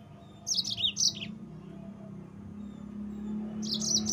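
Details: Yellow-fronted canary (mozambik) song for provoking rival birds: a quick run of high, tumbling chirps, a pause with low hum, then another chirped phrase beginning at the end.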